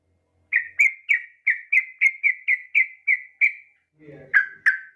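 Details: Yellow-vented bulbul female calling to a male: eleven clear, evenly spaced chirps about three per second, followed by a soft low rustle and two louder chirps.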